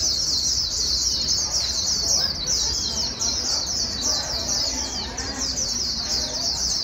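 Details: A wild-caught white-eye pours out a very high, fast, continuous twittering song of quick sliding notes with no real pauses, over a faint background hiss; the clip is used to stimulate white-eyes into fast singing.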